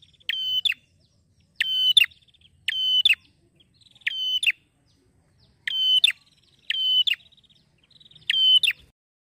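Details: Male Bar-winged Prinia, content and singing clearly ngeplonk-style: seven vigorous metallic buzzes with sharp terminal snaps, separated by short pauses and faint ticking.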